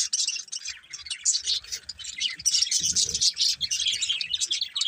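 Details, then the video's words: Budgies chirping: a dense, continuous chatter of high twittering and warbled notes from several birds, with brief low thumps. "Cute Budgies Chirping Sounds"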